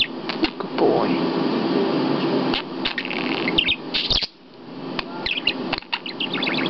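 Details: Pet budgerigar perched on a person's hand, cursing and swearing in mimicked speech; dense scratchy warbling chatter with quick chirps and clicks, a short lull midway, then more bursts of chatter, with a person talking nearby.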